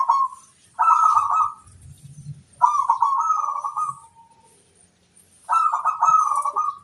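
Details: Local zebra dove singing a lure song to draw responses: three long, rapidly pulsed rolling coos, each roughly a second long, with faint high bird chirps and brief low cooing between.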